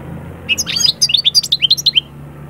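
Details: European goldfinch song played to bring birds out of moult into summer breeding mood: a short burst of high, rapid twittering notes followed by a run of about eight quick, evenly spaced chirps, each a brief falling twitter.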